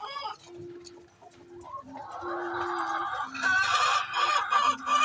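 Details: Chicken noisily calling ahead of laying eggs, starting with soft clucks over a low hum, then building into louder, strained, drawn-out squawking notes in the last seconds.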